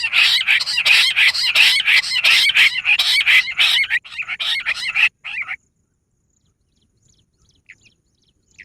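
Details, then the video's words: Bush quail calls used for luring: a loud, rhythmic burst of harsh, overlapping chirping notes lasting about five seconds, then near silence with a few faint chirps. "Bater ki awaaz madi gundari quilling sound bush Quil sound"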